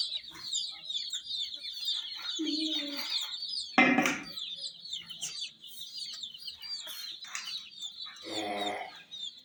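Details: ['Chicks of domestic hens with a miniature toy jeep, constant thin high peeping, broken by a sharp clack near four seconds and short low voice bursts.']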